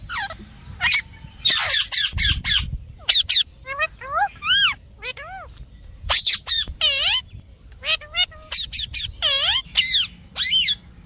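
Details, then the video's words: Parrot giving many quick harsh squawks and arched chirping notes in fast irregular series, with a few whistle-like tones scattered between. "Parrot Chirping Voice"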